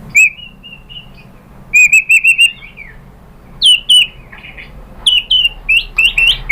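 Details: White-rumped shama song as a lure to make other shamas reply: sustained clear whistles and a short rapid series, then separated sharp sweeping whistled notes with gaps of quiet.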